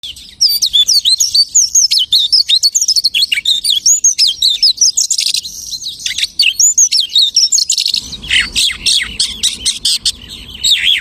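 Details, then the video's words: Lark imitating the singing of many other birds: a rapid, unbroken stream of high, varied whistles, trills and slurred chirps, shifting to harsher buzzy notes and a low rumble of background noise in the last few seconds. "The lark imitates the singing of hundreds of birds."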